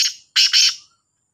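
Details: Black francolin in a two-bird calling match: a fading rasp, then a strong doubled, scratchy burst of broadband notes before quiet.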